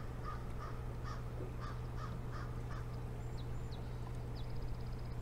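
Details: Osprey at the Boathouse nest on 15 April 2019 at 11:35, caught by a live nest camera: short, sharp chirps repeated about twice a second, then fainter thin high notes, all over a steady low electrical hum.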